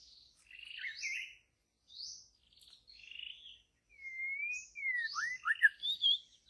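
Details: Wild white-rumped shama singing in deep jungle forest: varied phrases of short buzzy notes and clear whistles broken by pauses, then a long smooth whistled slide followed by quick falling whistles and scratchy notes.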